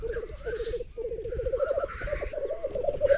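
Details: Displaying black grouse male on a raised-bog lek in the Berezinsky Biosphere Reserve, with up to 30 males and 20 females gathering and ten hens around one cock; steady rapid bubbling warble, rhythmic pulses broken by a short gap near one second.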